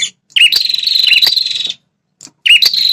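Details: Red-headed prinia call used to anger wild prinias defending territory. One long, shrill, buzzy trill with a few lower dips, then a brief pause and a second identical trill starting.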